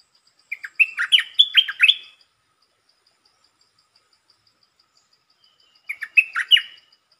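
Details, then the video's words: Red-whiskered bulbul lure song, quick to start, short but pleasant phrases: a bright run of five or six whistled, warbling notes lasting about 1.5 seconds, then silence, then a shorter repeat of three or four notes. The background is otherwise quiet. "เสียงนกดอกแตงEp.150 จ้าวขันเงิน เปิดดอกเร็ว เพลงสั้นๆแต่น่าฟัง Suara pikat merbah lekir"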